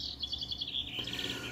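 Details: Goldfinch hybrid in full song, a fast stream of high, sweet twittered notes with short trilled phrases, over a constant low background hum.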